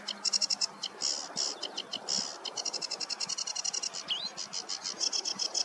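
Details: On a meadow on a warm July morning in 2024, a sedge warbler delivers a hurried, grating song of high chattering notes in rapid rhythm, with a single clear rising whistle slipped in partway through.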